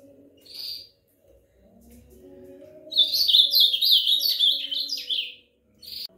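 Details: Ultramarine grosbeak singing: an isolated high note, then a fast warbled phrase of about two and a half seconds made of slurred, descending and rising whistled notes, ending with another short note over a faint low hum.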